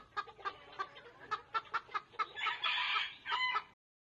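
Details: A rooster (Gallus gallus domesticus) gives a rapid run of about ten short clucks, then a brief, hoarse crow that rises and breaks in two before cutting off.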